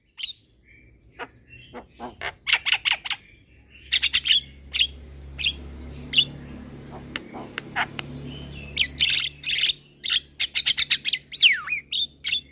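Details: Energetic young Javan myna bobbing its head: a long, uneven medley of sharp clicks, short whistles and harsh bursts, sometimes in quick clusters, with a few sweeping whistled slurs near the end and a low steady hum beneath.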